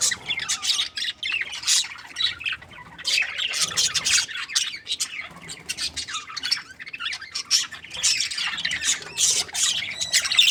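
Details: A budgerigar breeding pair, said to be happy, keeps up steady chirping: rapid clusters of high, buzzy twitters and squeaks rising and falling in intensity throughout.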